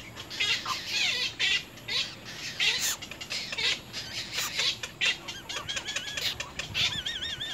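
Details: Little egret chicks at their nest pecking hard at the parent; dense raspy bursts throughout, with wavy whistled notes closing the sequence.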